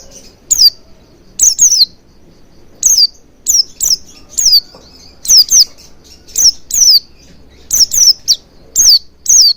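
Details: High, downward-slurred chirps of an Oriental white-eye, used as a lure to set the bird singing, given singly or in quick pairs every second or so.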